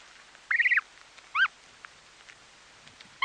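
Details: Snow goose chicks feeding nearby give a quick run of high peeps, then a single rising-falling peep. Faint clicks of grass being torn sit against a light background hiss.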